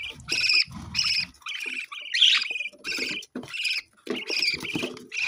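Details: Parrot chattering in choppy strings of harmonic squeaks and rasping notes, with a brief silence near the fourth second before the chatter resumes.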